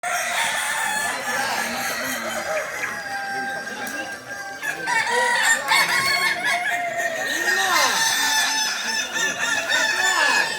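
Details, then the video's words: Kokok balenggek roosters at a final crowing training contest in Sawahlunto on 16 July 2023; many birds crow at once in long, layered, stepped phrases that overlap and rise and fall, with faint human voices behind. "Ayam kukuak balenggek"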